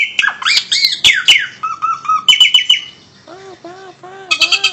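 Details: Captive Asian pied starling, Indonesia, giving a rambling song of harsh squawks, whistled slurs and chattering notes, ending in a run of lower repeated arched notes and bright trills.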